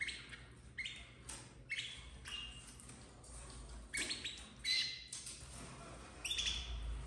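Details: Red frosted domestic canary chicks bred in captivity in 2024 chirping repeatedly: a dozen or so short, high, harmonic-rich notes in irregular bursts across seven seconds, over a low background hum.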